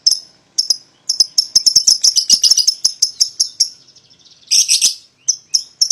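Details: Young (paud) lovebirds, a pair used to provoke a rival into singing: rapid rattling high chirps in a dense run, then a harsh squawk and scattered sharp notes.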